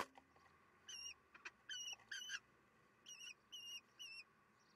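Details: Common kestrels at a nest on 22 June 2021 at 9:30, the youngest nestling still inside while siblings and parents encourage it. Several high, wavering whistled calls, each under half a second, in clusters of two or three, with faint background hum.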